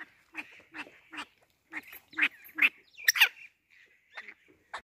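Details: Black francolin in Pakistan, an adult with chick calling: harsh, grating notes spaced about half a second apart, some doubled into rasping bursts, with no other clear sounds.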